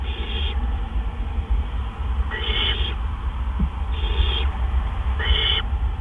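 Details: Night at a great horned owl nest, 1:43 AM, April 10, 2013, during delivery of a gopher: four rasping, breathy screeches of about half a second each, coming every second or two, with constant low rumbling background noise.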